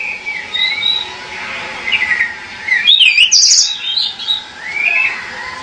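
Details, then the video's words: Pied bushchat song of spaced whistled phrases, thin slurred notes with a brighter twittering burst near the middle, and a steady background hum. "SUARA BURUNG DECU"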